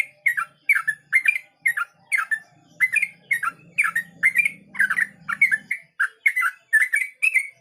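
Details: Ropel-style song of a yellow-vented bulbul: a fast, unbroken series of gurgling, warbled phrases about twice a second, with a soft low hum in the background midway through.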